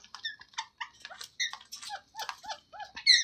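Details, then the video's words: Green parrot giving natural talking sounds: a rapid run of short, bright harmonic chirps and clipped notes, some bending down in pitch, packed closely over about three seconds with brief gaps, no other sounds. "Green Parrot Talking Natural Sounds | Mitthu Ki Awaaz | Tote Ki Awaaz"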